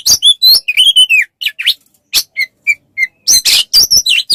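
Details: Oriental magpie-robin song meant for tutoring songbirds: a few wavering whistled notes, then short separated chirps, and ending with harsh, loud, broadband bursts mixed with clear whistles.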